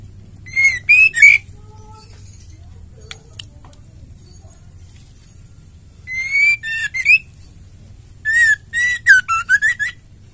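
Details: Female white-rumped shama (murai batu), kept as a songbird and used to stir caged males into singing, gives three bursts of clear whistled notes with bright overtones, each short phrase of three to six notes, separated by pauses over a faint low hum.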